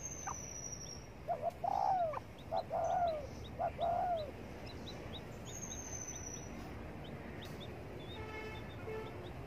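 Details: Spotted dove sunbathing in the morning, cooing: a run of low, mellow, wavering coos over about three seconds, then quiet. Thin high chirps from other birds sound throughout, and a brief buzzy rattle comes near the end.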